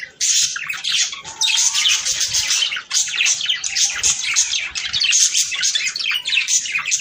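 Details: Budgie song used to prompt mating: a short gap, then a loud continuous stream of squeaky chirps and chattering warbles, with a faint low tonal hum in the background.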